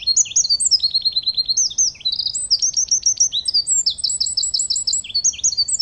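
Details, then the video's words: Wren in full song, a continuous torrent of very high, sharp whistles and rattling trills, with quick repeated notes delivered at great speed and volume throughout. "Wren singing"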